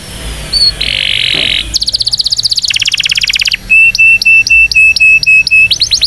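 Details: Indonesian canary performing a training song for young birds: a buzzy band of sound, fast pulsed rattles, then evenly repeated short sharp notes about five per second ending in swept whistles.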